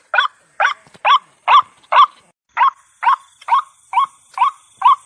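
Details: Repeated croaking calls of a white-breasted waterhen used as a lure sound. Short hoarse notes come at a steady beat of about two a second, with a brief pause in the middle and a faint high hiss later.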